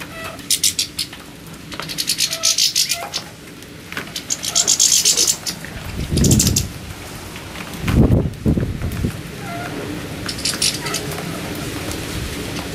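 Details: Several Siberian goldfinches heard in bright, high twittering bursts with quick chattering notes. Two dull low thumps or knocks cut in near the middle, over a faint background hum.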